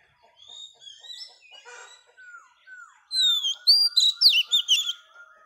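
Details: Singing female Oriental magpie-robin, used to stir males: soft varied whistles and downslurs, then a loud, fast cascade of bright warbled notes of roughly eight syllables.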